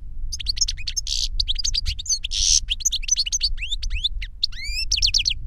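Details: European goldfinch song in 'reclamo' style from a caged master bird and its trained novice; unbroken rapid twitter of sharp chirps, two harsh buzzy bursts early on and upward-sweeping whistled notes toward the end, with low rumble beneath.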